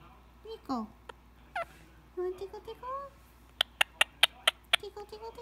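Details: Pet Indian ringneck parrot talking in the evening while relaxing during head scratches before bedtime; short squeaky, sliding speech-like syllables, then a quick run of sharp clicks and softer chatter.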